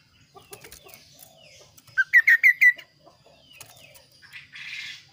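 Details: Kaso kaso bird calling clearly: a rapid set of five loud, sharp, slurred notes after quiet ticks, followed by a brief soft rustle.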